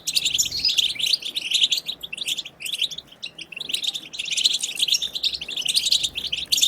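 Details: European goldfinch wild-style chirping song, played to stimulate goldfinches to sing: dense, rapid twittering and tinkling notes high in pitch, pouring out in bursts with brief pauses near the middle.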